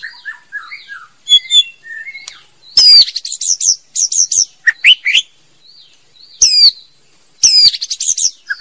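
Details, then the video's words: A female white-rumped shama sings in bursts: soft low whistles, then loud high swooping notes and chattering trills, each phrase separated by brief silences. "TIẾNG CHÒE LỬA MÁI HÓT CHUẨN MỚI NHẤT"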